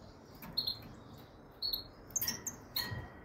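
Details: Goldfinch, Carduelis carduelis frigoris: short high chirps in small spaced bursts, building to a busier run of sharp tinkling notes near the end. A faint constant hiss sits beneath.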